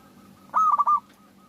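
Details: Single phrase from a local zebra dove in full song, played to coax other doves into singing: four fast, mellow cooing notes run together in a bubbling burst, with a low hum behind.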